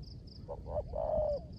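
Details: Kept spotted dove used as a decoy, giving a single 'rước gù' phrase in rainy weather: two brief low hoots rolling into a sustained, gently sliding coo, with faint high pulsing in the background.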